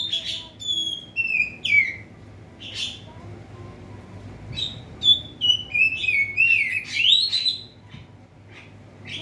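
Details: Oriental magpie-robin in a covered cage, in full song to provoke rivals: two bursts of rich whistled phrases with sharp upslurred and downslurred notes, separated by a short pause, against a faint low hum.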